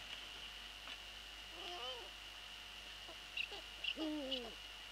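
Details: At an Eurasian eagle-owl nest at 23:41 on 11 April 2013, the male has brought a pigeon to the young. The female flies in to scold him with hoarse, wavering, descending calls; a few short clicks sound between them over a constant whine.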